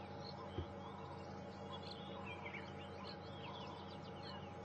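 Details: Arrow-marked babblers (Turdoides jardineii) at Djuma Game Reserve, South Africa, on a morning safari drive, 11 February 2015, chatter in a rapid, scratchy jumble of mid-high notes over a steady low engine hum with one brief thump.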